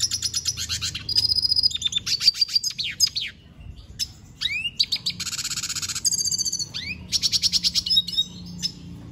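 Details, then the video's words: Venezuelan goldfinch in full song: bursts of fast, high twittering and buzzy trills separated by short gaps, mixed with sharp rising chirps. "Pintassilgo da venezuela cantando muito"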